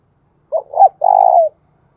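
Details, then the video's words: Spotted dove kept as a decoy to attract wild doves, uttering a single low phrase: a short, wavering double note and then a sustained, slightly buzzy coo that falls away at the end. "chim cu mồi gáy hay dùng kích bổi rất hiệu quả"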